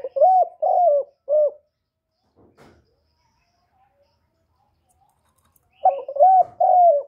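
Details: Spotted dove giving luring coos meant to stir other doves to call. Low, soft two-part coo phrases open the clip, followed by a pause with a faint knock. The mellow hoots then return near the end.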